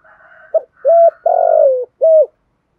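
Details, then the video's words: Thúc gù cooing of a spotted dove used to lure wild doves: faint background cooing gives way to a short note, a steady coo, a long grainy falling coo and a closing coo. "cu gay giong tho thuc gu gay goi boi hay nhat, chim cu gáy kích bổi"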